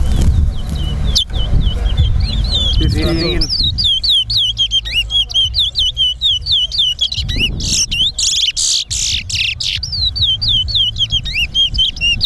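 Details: Competition singing of a towa towa, or chestnut-bellied seed finch: after noisy voices at the start, a long run of bright, down-slurred whistles repeated steadily, then harsher buzzy bursts, over a faint crowd murmur.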